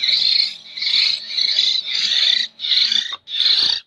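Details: Local Jember hill myna chick, still fed by hand, repeats scratchy, wheezing begging bursts about every half second. The last two are shorter and cleaner, and a faint low hum lies behind them.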